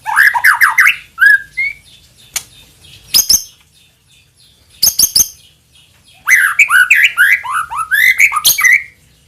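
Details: White-rumped shama singing a lure song to prompt other shamas to sing: a fast rising trilled phrase, a pause with isolated sharp clicks, then a long tumbling run of bright whistled notes.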